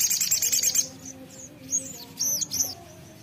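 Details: {'caption': 'Ruby-throated sunbird lure song, lively and chatty: a dense, very high buzzy trill of rapid repeated notes for under a second, then scattered thin high whistled notes and short slurred chirps over faint background hum.'}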